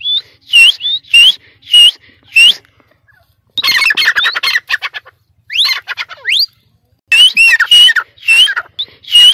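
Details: Caged teetar (francolin) from Sindh on its perch calling in loud rhythmic phrases of rising, looping whistled notes, interrupted by a dense rasping burst and a series of quick upward slurs.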